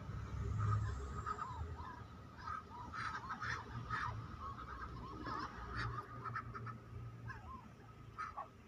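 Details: Farmed Muscovy ducks swimming during a flood, a busy flock giving short, rapid, overlapping calls, several each second, over a steady low rumble of water and background noise.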